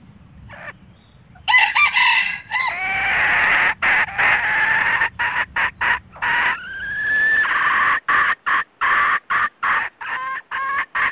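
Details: Red junglefowl, cock and hen together, calling to gather the flock; recording used as a trapping lure. Loud rapid clucks and harsh cackling notes come in choppy bursts, several per second, with a rising drawn-out call midway.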